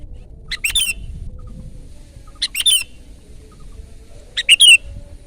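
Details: Sooty-headed bulbul singing loudly: three crisp bubbly phrases, each a quick cluster of whistled notes, repeat about every two seconds against a quiet background.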